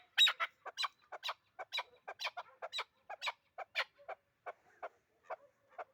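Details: Hunting chukar partridge producing irregular clucks and harsh notes that fade toward the end into softer, spaced chucks.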